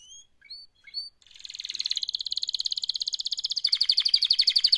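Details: Singing canary giving a mating song, a few soft whistled notes leading into a rapid, steadily repeated buzzy trill that grows louder and shifts slightly higher toward the end.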